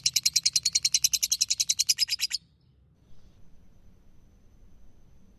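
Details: Ngekek song of a lovebird used as training material for other birds: a quick run of high, rasping chirps about eight a second, lasting over two seconds and stopping abruptly, followed by faint background hush.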